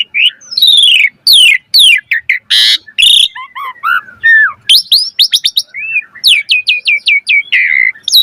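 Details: Asian pied starling in full, varied song of the kind used to train captive birds: harsh scratchy bursts, slurred whistles, then quick trills of repeated upward-flicked notes near the end.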